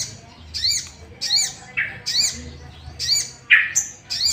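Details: Sooty-headed bulbul calling to stir rival bulbuls into singing: a lively series of ringing, slurred whistles and chattering notes repeated roughly twice a second, some phrases dropping lower in pitch, with faint low hum behind.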